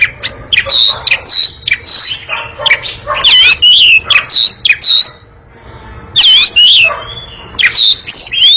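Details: Oriental magpie-robin singing its long, fast, noisy ngekek chatter: harsh squawky notes mixed with loud looping whistles, delivered in dense bursts, with a short pause near the middle.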